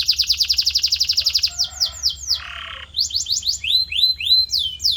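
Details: Canary tutor song meant to shape a pet canary's singing: a rapid even trill opens, followed by descending whistled slurs, a brief harsh buzzy burst, then rising and falling whistled swoops repeated about twice a second.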